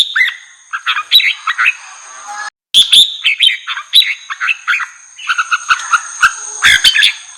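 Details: Red-whiskered bulbul song used to stir wild birds: chattering, warbled whistles in quick succession, a brief silent cut, then more bright slurred phrases and a busy closing flurry, with a faint constant high hum.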